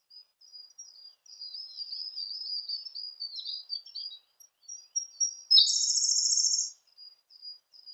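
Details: Siberian blue robin singing. Faint, high, squeaky warbled notes run for several seconds before a sudden loud, fast, buzzy trill that lasts about a second. Soft high notes follow.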